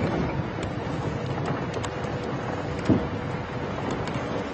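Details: Steady engine rumble from a safari vehicle with wind buffeting the microphone and a few faint clicks, with no animal voice heard.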